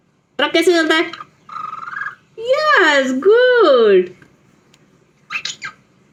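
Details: Pet parrot talking: several short speech-like phrases with rich, wavering tones, the longest rising and falling over about two seconds, ending in a brief clipped utterance; quiet indoors.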